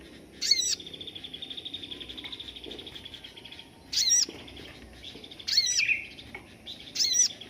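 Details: Crimson sunbird in standard 'tembakan' song style, the kind sought by songbird keepers as a tutor for other birds: sharp, very high, bright notes in short bursts every second or so, with a steady thin buzzy tone between them.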